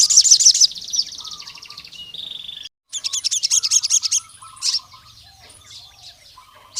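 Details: Crimson sunbird from the forest challenging a rival male with bursts of shrill, fast-pulsed high trills, thin sliding whistles and brief pauses between phrases, ending in a sudden sharp note.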